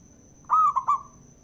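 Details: Provoking song of a male zebra dove: a single phrase of a long smooth coo followed by two shorter mellow notes, clear and close, with a faint steady high electronic tone in the background.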